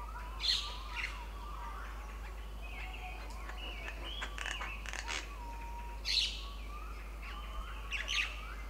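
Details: Jungle mynas that have strayed up into Himalayan hill country give a mix of short sharp chirps and sliding whistled notes, with three louder bursts spaced several seconds apart.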